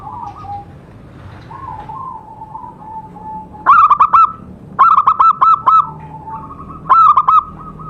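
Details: Local zebra dove in full song near bird traps: three bursts of rapid, stuttering, purring coos, each a few clipped notes. A soft wavering tone fills the gaps between bursts.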